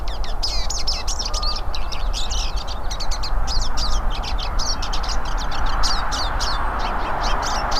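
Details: Several hooded siskins singing together in nature, a continuous jumble of rapid, high, scratchy twitters and trills overlapping without pause, over a soft constant background hiss.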